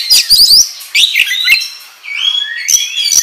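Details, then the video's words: Kacer, or oriental magpie-robin, in vigorous ngobra singing used as a training lure. Quick rattled chips open, then clear sliding whistles, one long rising note near the middle, ending with bright short whistles. "Pancingan Kacer Gacor Ngobra Menggila"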